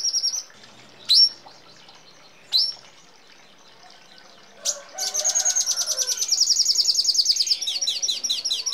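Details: Red siskin song in the ngeroll style with fills from sparrow, hummingbird and canary. Opens with scattered sharp high chirps separated by silence, then bursts into a sustained, fast, high buzzy trill with falling notes.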